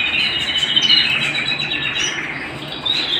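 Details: Domestic canary singing indoors. The song is an unbroken, fast, buzzy warble sustained at high pitch, with a brief louder surge near the first second and a rising whistled note near the end.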